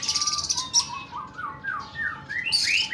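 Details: Oriental magpie-robin delivering a 'nembak' song, described as long and rough: a run of clear whistled notes sliding up and down, broken by harsh, buzzy high-pitched bursts near the start and end.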